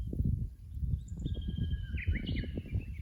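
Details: Japanese bush warbler singing beside a tank road at Kusu on 24 April 2025, captured by a fixed camera. A long level whistle is followed by a quick rising-and-falling flourish, over heavy low rumbling noise.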